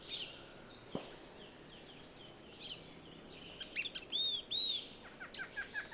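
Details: Yellow-bellied tyrannulet (Ornithion semiflavum), call.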